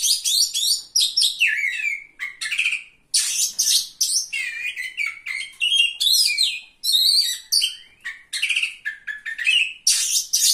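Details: Oriental magpie-robin (Copsychus saularis), a third-place songbird-contest winner, recorded 17 April 2023, singing a rich, varied song of rapid whistles, slurred rising and falling notes and harsh buzzy phrases, almost continuous with brief pauses.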